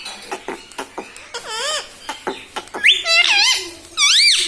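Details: Pet parrot talking at home, taught mummy and mithu: a series of soft rhythmic taps and short squeaks, then loud, high, undulating syllables in two phrases near the end.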